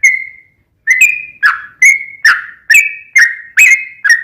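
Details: Sooty-headed bulbul singing in a lure meant to draw out a reply from another bulbul: one drawn-out whistle, a brief silence, then about eight loud, slurred notes delivered at a steady, bouncy pace.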